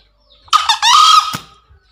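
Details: Green junglefowl crowing, used as a daily master sound for newly caught wild birds or birds reluctant to call: a harsh, raspy opening burst, a brief gap, then a strained, drawn-out level note that fades off, in a quiet setting.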